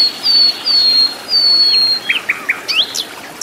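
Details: Flycatcher in the wild, native habitat, singing vigorously: three long, pure, high whistles, each slightly falling, followed by a rapid series of short up-and-down chirps.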